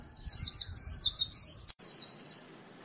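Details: White-eye lure recording with a fast, high, squeaky twitter of tumbling slurred notes, briefly cut off near the middle before resuming more softly, with a faint low rumble in the background.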